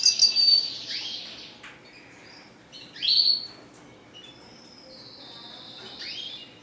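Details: Red siskin delivering long, drawn buzzy wheezes and rising slurred notes, with a bright twittered phrase midway and a sustained high nasal tone near the end.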